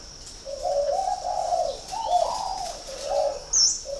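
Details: Loud, close spotted dove in northern Vietnam, at a Ba Vì, Hanoi bird farm, delivering a run of joined, wavering coos that swell and dip, then a short final hoo; a sharp high chirp near the end.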